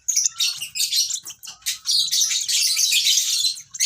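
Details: A young lovebird chirps almost nonstop: shrill, scratchy, high-pitched notes running together into a continuous twittering stream.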